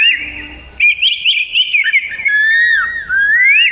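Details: Melodious song of an Oriental magpie-robin, recorded as tutoring material for songbirds: a steady warbling stream of wavering whistles that slides gradually lower, then rises again at the end.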